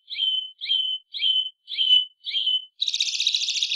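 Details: One of five song variants of the White-bellied Seedeater, known locally as chorão or bico-vermelho: five clear high whistled notes with a slight stutter, about half a second apart, followed by a rich buzzy trill.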